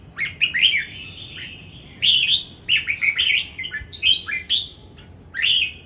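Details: Competition song of a Red-whiskered bulbul (CB S15) from Dong Nai, Vietnam: clear warbled whistles rising and falling, grouped in rapid clusters roughly every second, with a longer drawn-out note early on and crisp high overtones.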